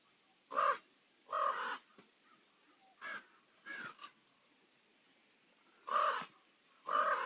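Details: Deep, rough croaks from common ravens at sunset on Nose Hill, Calgary, spaced irregularly with softer calls between, then two strong final croaks.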